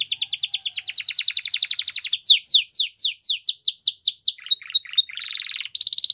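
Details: A male Belgian canary sings a rapid steady trill, then slower down-slurred whistles, short high chips, and a closing buzzy roll, clean and loud with no other sounds.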